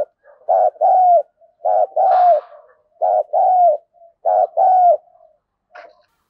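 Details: Spotted dove calling as a fight-provoking decoy: paired coos, a brief stuttered note followed by a drawn-out descending one, recurring steadily, with a faint scratchy noise near the second phrase and a click at the end.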